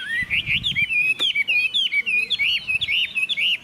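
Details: A caged Chinese hwamei sings a rapid string of clear whistles, each note twisting upward and back. Short phrases repeat almost without pause, over a faint low hum and a brief click.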